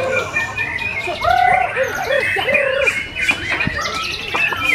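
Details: Contest-caged white-rumped shama giving lower rounded whistled notes in a short series, with higher chirps from other birds and a murmur of spectators behind.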